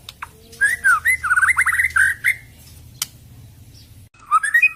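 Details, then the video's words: White-rumped shama giving a harsh rapid song, tembakan kasar style: a tight burst of quick looping notes lasting about two seconds, then a pause and a shorter rising phrase, with a sharp click between. "KICAU MURAI BATU - TEMBAKAN KASAR"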